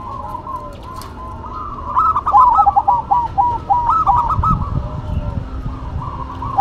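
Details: A local and a cemani zebra dove duet in a long, busy stretch of overlapping rapid cooing notes, rising and falling, with some low rumbling underneath.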